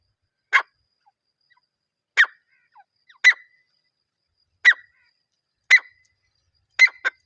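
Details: Partridge sound for attracting partridges when hunting: single short, sharp, harsh notes spaced about one to one and a half seconds apart, the last one doubled, over a quiet background.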